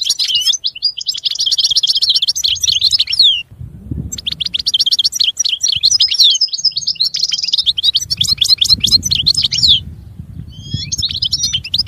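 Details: Long European goldfinch song of fast twittering, tinkling notes and liquid trills in several bursts, with a brief nasal buzz in the middle and low background rumble throughout.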